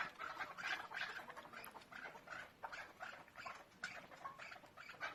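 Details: A chukar partridge, possibly a female with chicks, gives harsh, clucking notes in an uneven series, roughly two to three per second, over a steady background hiss.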